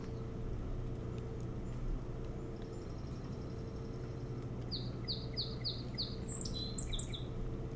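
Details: Osprey on a nest on Hog Island near Bremen, Maine, filmed by nest cam around 3–4 AM on 25 July 2018, gives a quick run of five clear, high whistled chirps, then thinner notes, over a steady mechanical hum.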